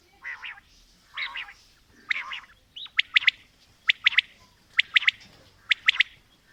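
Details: Quail (batair), female and male birds calling: several low raspy notes at first, then crisp three-note phrases of sharp clicks, repeated roughly once a second over faint background hiss.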